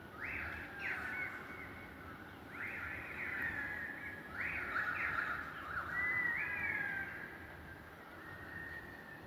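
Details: An unidentified wild bird calling at 5am from a balcony in Australia, with rising whistled notes given in short groups, each ending in a long steady whistle, over low background hum.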